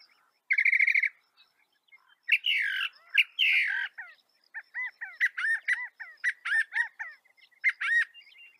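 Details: Northern mockingbird in North America singing a varied medley: a rapid trill, harsh squawking notes, then a long series of repeated arched whistled chirps.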